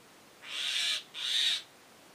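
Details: A Nias hill myna carrying nesting material outside its cage gives two harsh, hissing screeches, each about half a second long with a short gap between, against a quiet background.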